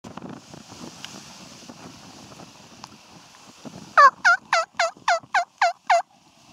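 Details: Wild turkey tom in spring 2014, heard after a few seconds of faint rustling: a loud run of eight evenly spaced, harsh, falling notes, about four per second.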